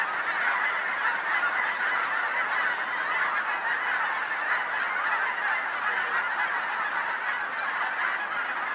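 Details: Large gathering of geese in Colorado, two blocks from a house, creating a solid, level chorus of honks layered so densely that no single bird is distinguishable.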